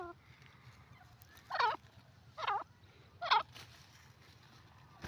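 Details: Grey francolin calling: three loud, harsh, ringing notes repeated about every 0.8 seconds over a steady low hum.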